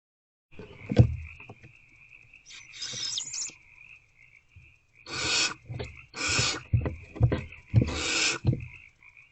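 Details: In a barn owl nest box at night during food deliveries, 28 February 2024: a run of rasping hisses in quick succession over a thin steady tone, with thuds and scuffling of the birds moving.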